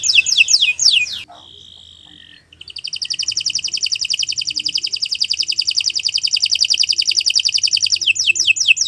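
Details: Canary performing a long training song: quick descending whistles, a held steady tone, then a sustained, very fast rattling trill lasting several seconds, ending with more sweeping notes.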